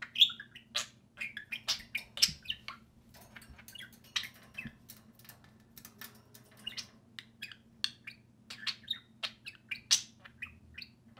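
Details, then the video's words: Two budgerigars kept as pets, playing outside their cage: continuous high chatter of short clicks, squeaks and warbled chirps in uneven bursts, with faint household hum. "Two social parakeets (budgerigars) play and speak"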